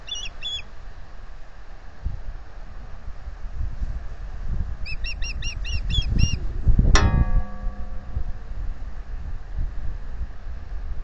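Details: Osprey pair nesting at Salt Point since 2013, male offering to incubate, female saying no, 15 April 2020, nest-camera microphone. Brief chirp bursts, a loud thump, and constant low wind rumble.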